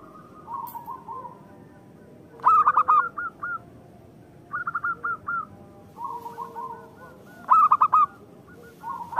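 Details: Zebra doves exchanging song used to make lazy birds sing: spaced bursts of quick rolling notes, loud groups near two and a half and seven and a half seconds, softer phrases between.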